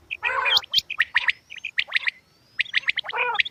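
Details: Female quail producing a dense mix of harsh, gargling buzzy notes and quick high chirps, delivered in rapid uneven bursts with a brief pause midway.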